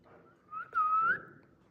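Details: A pet talking Indian ringneck parrot gives a single clear, slightly rising whistled phrase about half a second long, after a softer lead-in note, against quiet room background.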